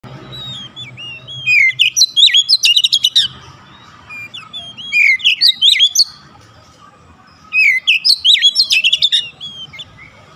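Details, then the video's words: Oriental magpie-robin song used as a lure to get a silent bird singing: three bursts of rapid, rich whistled phrases with sweeping and warbled notes, each lasting about one and a half seconds and separated by pauses of a few seconds. "KACER MACET BUNYI LANGSUNG GACOR"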